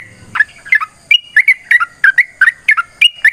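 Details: Bubbling, rollicking notes from a yellow-vented bulbul's long fighting song, a lure for other bulbuls to reply; short gurgling phrases repeat roughly three times a second after a quiet start.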